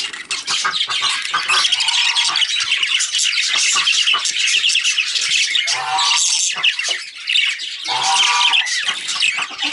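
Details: Breeding pair of budgerigars giving continuous busy chatter. Scratchy warbles and sharp squawks crowd together, with short lower rasping bursts around six and eight seconds.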